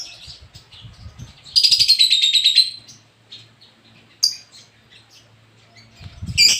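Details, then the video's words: Lobert singing: scattered thin high notes, then a loud fast trill of buzzy repeated notes lasting about a second, followed by quieter chirps and a few sharp high calls; low thumps underneath. "Suara burung lobert yang sangat merdu"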